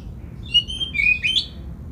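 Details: Oriental magpie-robin song meant to provoke rival magpie-robins into singing: a short run of clear whistled notes, flat then dipping and rising, ending in a quick upward flourish, over faint low background hum.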